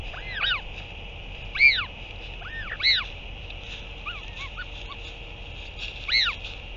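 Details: Northern royal albatross on 8 June 2023, as a parent returns and feeds its chick: arched, whistled calls with harmonics, a few rising-falling notes about every second, over a steady background hum.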